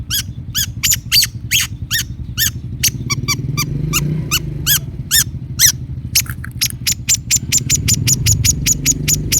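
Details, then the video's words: Long-tailed shrike song used as a lure to get a silent caged bird singing: a fast series of sharp, harmonic-rich chipping notes, then a steadier run of high ticking notes, over a constant low hum. "kicau cendet gacor pancingan cendet stres macet bunyi JADIKAN cendet NYAUT GACOR"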